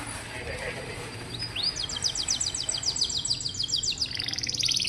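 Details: Canary song for training young, quiet canaries: after a noisy start, a quick series of sharp high trilled notes rises out of background hiss, ending in a softer buzzy roll.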